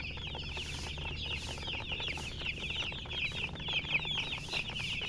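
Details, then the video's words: A group of colour chickens keeps up busy, high-pitched cheeping, short rising and falling notes piling over one another in an unbroken chorus, with a steady low hum behind. "silly chicken chirping sounds with murgi hen color chicken"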